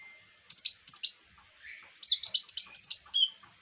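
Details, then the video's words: Brown-throated sunbird (konin) singing as a tutor recording for songbird keepers: paired high chirps, a pause, then a fast jumble of sharp twittering notes and a closing whistled slur. "Konin mewah masteran wajib kicau mania"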